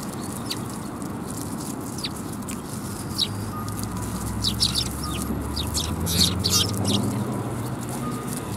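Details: Sparrows at a Tenmangu shrine in Japan, recorded 23 December 2021: scattered thin, high chirps and quick descending tweets, thickest toward the end, against a constant low hum of traffic.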